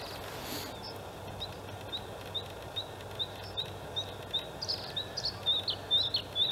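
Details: White-spotted Bluethroat male in song among reeds at a Halmstad harbour landfill, Sweden, in May; soft ticking notes repeated about twice a second build into louder, sharper high chirps and twangs, over steady low noise.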